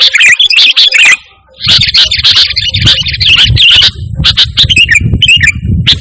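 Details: A lively sooty-headed bulbul sings a clean song without inserted phrases, meant as a calling and tutoring sound for pet birds. Rapid bright chirps, a short silence, then a sustained warbling run and scattered sharp notes.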